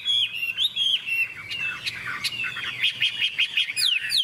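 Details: Fighting-song bout by a Hwamei, a yellow-toned bird with a big tail showing off its wings: rich slurred whistles give way to a rapid run of clipped notes and a sharp falling whistle at the end.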